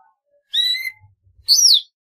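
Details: Golden-fronted leafbird giving two clear song notes: a rich, harmonic, slightly rising whistle, then after a short gap a bright whistle that arcs up and slides down.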